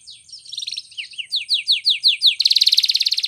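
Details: Canary training song: varied chirps around mid-high pitch, then a run of falling whistled sweeps repeated about three times a second, ending in a fast, loud buzzy trill.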